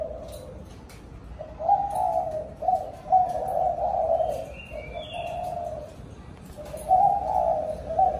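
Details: Spotted dove cooing to call the flock in the evening. Several low, rolling coo phrases start after a quiet opening, and a few thin, higher bird chirps sound faintly in the background.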